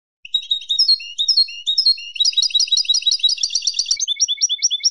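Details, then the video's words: Goldfinch song for training young birds: varied liquid whistled and twittering notes, building into a dense fast jumble of high chirps, then a series of short repeated upward-flicked notes. "CANTO DE JILGUERO para NOVELES y MOTIVAR a CANTAR"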